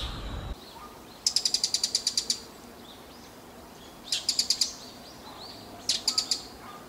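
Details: Bull-headed shrike among recordings from various years of different birds: loud, rapid series of sharp, shrill notes, first a run of about nine, then bursts of four or five, separated by quiet pauses with faint distant chirps.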